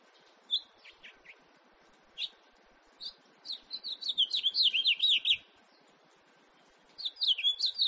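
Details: House finch, recorded 2018, over steady low background noise: scattered short chirps build into a dense, rapid warbled phrase, a pause follows, then another bright run of slurred notes begins.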